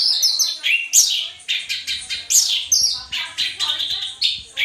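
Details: Orange-headed thrush in captivity, singing as a model for training caged birds, pours out a fast, continuous run of high chirps and sweeping whistled notes, tightly packed and repeated in quick loud bursts throughout.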